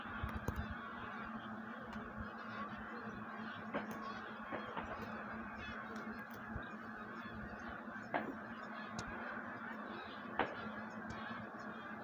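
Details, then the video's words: Many wild geese getting ready to migrate, calling together in a steady din of honks, broken by several sharp cracks. "Wild Geese on the move"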